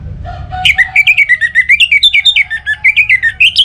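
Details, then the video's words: Orange-headed thrush song for prompting other birds to sing, Singaraja, northern Bali: a low note then a continuous fast stream of short whistled notes, about six per second, rising and falling in pitch. "ANIS MERAH Untuk Suara Pancingan Burung Agar Rajin Bunyi Ngeplong Pagi sampai Sore Hari"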